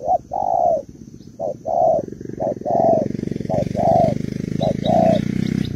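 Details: A female Malaysian spotted dove calls to stimulate the male with soft paired coos, a brief note then a longer one, repeated roughly once a second, while a motor rumble grows louder.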